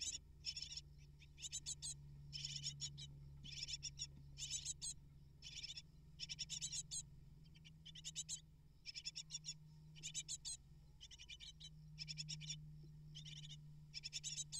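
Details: Nest of eight great tit chicks being fed prey by both parents; insistent high-pitched buzzy begging comes in repeated bursts of rapid chirps, about one every second, over a constant low hum.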